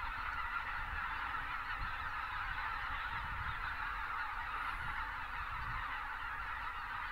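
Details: Huge winter gathering of Greater white-fronted geese in South Texas, south of Uvalde, pelicans taking off alongside; steady dense chorus of nasal honks from countless birds, faint low rumble.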